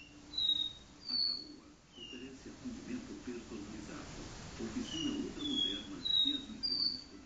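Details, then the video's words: Caboclinho seedeater singing do-re-mi song in a living room: clear whistled notes at varied pitches, some rising or falling slurs, repeated with short gaps, mixed with murmuring human voices and low indoor hum. "caboclinho do-re-mi na sala"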